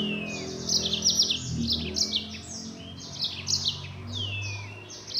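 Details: Yellow-fronted canary in full rapid-fire 'nembak' singing: dense, high, fast trills and buzzy chattering phrases tumbling one into the next without pause, with a few sliding whistled notes; a steady low hum runs underneath.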